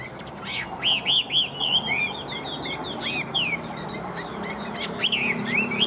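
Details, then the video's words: An 85%-tamed fighting hwamei, spreading its tail and displaying its wings, sings loud, rich phrases of looping, slurred whistles, several notes a second, over a steady murmur of background noise. "Căng Hót Tốt.Bản Lĩnh Hót Đấu Ok"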